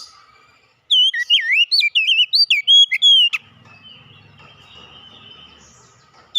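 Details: Oriental magpie-robin song bursts out after a short silence as a brisk chain of loud whistled and swooping notes over about two and a half seconds, then gives way to soft background hiss and faint murmuring.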